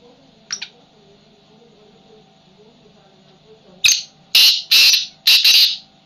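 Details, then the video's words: A tamed wild black francolin held in a cage utters a short faint note, then after a pause a loud series of four to five harsh, rasping bursts, evenly spaced, over steady low indoor hum. "Tamed Wild Black Francolin Speaking In Cage"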